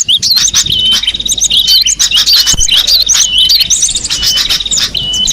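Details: Cinereous tit singing in the wild: clear whistled notes on a steady high pitch, repeated roughly every second and interleaved with quick chirps and twitters from other birds.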